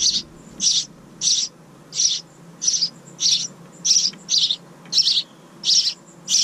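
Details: House wren nestlings, a second brood of the year in a bird house outside a kitchen window, give high hissing bursts, about eleven in six seconds, at roughly two per second, with no other clear sounds behind them.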